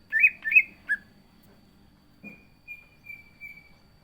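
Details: Caged green leafbird gives three rich, warbled whistles, then a short click and faint, thin, level whistles after a pause.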